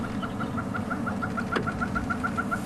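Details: A Red-billed Hornbill, agitated by a leopard in a tree at sunset on safari, gives a fast, even run of hollow clucking notes, about seven per second, over a low engine hum.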